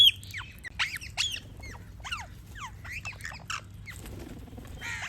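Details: Parrots chirping: a rapid series of short, sharply falling and rising whistled notes with harmonics, several overlapping birds, a few buzzy squawks near the end.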